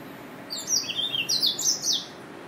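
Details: A Yelloweye finch gives a short run of high, bright twittering notes, some rising and others dipping, delivered in quick succession.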